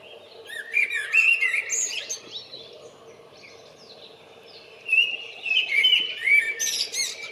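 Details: Common blackbird singing to attract a mate on 28 February: a fluty, warbled phrase in the first seconds, a pause, then a second rich, rising and falling phrase ending in high twitters, over a faint steady hum.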